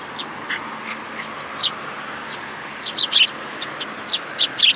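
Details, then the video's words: Fledgling and other sparrows at a plum-tree feeder, Tenmangu shrine, 21 June 2022, make sparse thin chirps that build into louder paired and tripled notes toward the end. "梅の木の餌場に来る雀達 新入り君の雛鳥"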